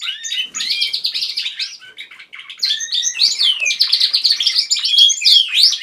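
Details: Canaries kept as household pets sing as a group at home: bursts of rapid, buzzy trills and twittering phrases, a short lull midway, then a louder overlapping warble resuming to the end.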